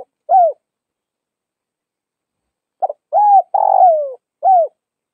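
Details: Northwest (Tây Bắc) spotted dove cooing: a lone arched coo, a pause of over two seconds, then a complete phrase of a clipped double note, a steady coo, a long grating falling coo and a brief final hoot. Silent background.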